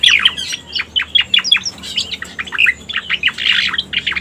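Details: Striated Grassbird (cica koreng), recorded as a lure: quick clipped chirps falling in pitch, then a denser, harsher burst of jumbled notes before the chirps return.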